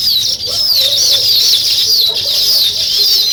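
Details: Weaver birds at work on a nest, continuous high chattering chirps and repeated wavering whistles forming a dense colony chorus.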